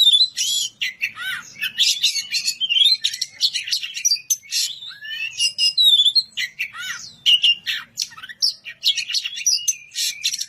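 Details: Kacer, the Oriental magpie-robin, in loud clear song calling out to a rival: quick bursts of shrill whistles, buzzy trills and up-slurred notes delivered in phrases separated by short pauses.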